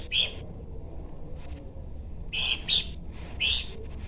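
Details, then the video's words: Bush babbler uttering a few separate harsh, buzzy chirps spaced about a second apart over low background noise. "UNIKNYA SUARA DAN GAYA BERKICAU BURUNG PELANDUK SEMAK"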